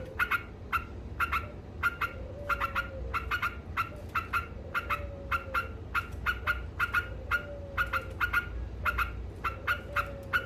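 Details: Trucuk, or yellow-vented bulbul, delivering 'ngekek' chatter meant to rile opponents: a brisk run of crisp, bright chips, some doubled, with a soft low gliding note recurring every two to three seconds over steady low hum.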